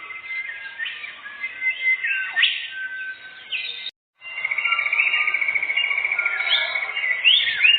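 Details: Canary song played as a lure for catching birds in a forest: warbling trills and rising whistles, a brief silent break, then a long, steady buzzy trill with sweeping whistled notes on top.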